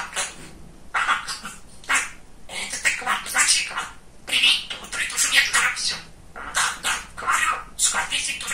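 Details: Pet male budgerigar, described as very chatty and funny, talking indoors: raspy, high-pitched speech-like bursts in quick runs with brief pauses around two, four and six seconds.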